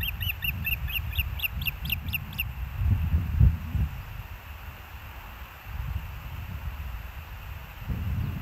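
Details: Hellgate Ospreys at their nest, 06/09/2024, 13:17: a quick burst of about eight piercing chirps in the first two seconds, then only gusty low wind noise rising and falling.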